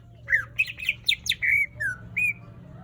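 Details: Greater green leafbird in energetic song, giving rapid whistled notes that rise and drop, including a long falling slur and a short upward whistle near the end, over a steady low hum.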